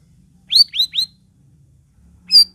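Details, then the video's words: Sooty-headed bulbul singing, used to prompt other cage birds to sing. Three quick, bright, rising whistled notes run together, then a pause and one more sharp high note. "KICAU CUCAK RAWIS COCOK UNTUK PANCINGAN BURUNGMU YANG MANDEK"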